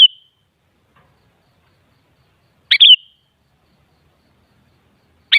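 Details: Song of a sooty-headed bulbul (kutilang): quick, liquid, bubbling phrases of two or three whistled notes, given about every two and a half seconds with silence between, no other sounds.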